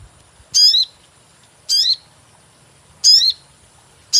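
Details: Lure call of a sogon bird for trapping: short shrill 'cuit' notes sweeping downward, given in spaced bursts every one to one and a half seconds over a steady high-pitched background hiss.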